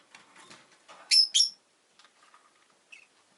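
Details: Two quick, shrill chirps in succession from a pet rosy-faced lovebird, one of a newly added pair, preceded by soft rustling and followed by faint small peeps.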